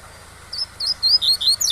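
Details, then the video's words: Coleiro pardo (double-collared seedeater) tui-tui song used to train young birds, over a steady waterfall-like hiss. Bright whistled notes begin after half a second, each slurred upward, six or seven in a row, closing with quick downward slides. "O Melhor ENCARTE TUI-TUI com Som de CACHOEIRA para Ensinar seu COLEIRO PARDO"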